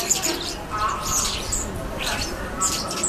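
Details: Common starlings at Yaroslavsky railway station in September 2013, giving high thin whistles and squeaky chirps in overlapping bursts, over a steady urban rumble of station noise.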